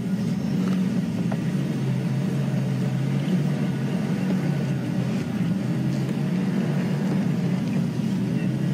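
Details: Loud, continuous low engine rumble from an idling vehicle dominates throughout, with faint scattered background noises and no clear animal call.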